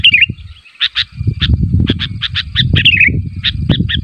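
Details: Sooty-headed bulbul calling so others answer: an opening wavering warble, then a string of short sharp chirps and another falling twist, with heavy low rumbling noise beneath.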